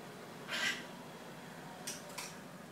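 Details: A pet monk (Quaker) parakeet babbling: one harsh, chattering burst, then two short scratchy notes a third of a second apart, against a quiet room hiss.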